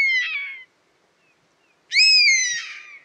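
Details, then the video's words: European honey buzzard with two drawn-out whistled calls: the end of one at the start, a silent gap, then a full call rising quickly, sustained and slightly falling, ending in a rough wavering slur. "Mehiläishaukka - Pernis apivorus - European Honey Buzzard - bivråk"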